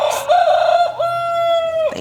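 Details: A rooster in a backyard coop on an urban Johannesburg homestead, one of four, gives a single loud crow: a short opening note, then a long steady held tone lasting over a second before cutting off.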